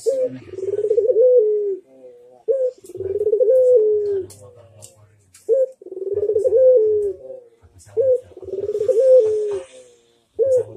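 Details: Barbary dove, known locally as puter, giving repeated manggung coos meant to prompt other doves to reply: five rolling phrases, each opening with a brief high note, with a soft low rumble underneath.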